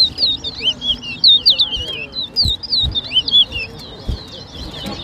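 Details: Chestnut-bellied seed finch singing at a 2023 bird whistling competition between two birds in New Amsterdam, Berbice, Guyana; rapid, high, liquid warbled whistles in looping phrases, almost continuous, with faint low thumps and background voices.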